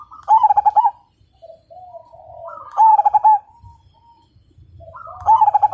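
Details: Perkutut (zebra dove) singing as a lure for other birds. Three bright stuttering coo bursts come roughly every two and a half seconds, linked by soft low gliding notes.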